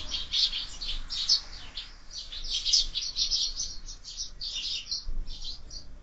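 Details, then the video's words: Sparrows squabbling at a window feeder where birds are fed year-round; an almost continuous stream of shrill, overlapping chirps from several birds, rising and falling in loudness. "Воробьи в кормушке - драки, драки"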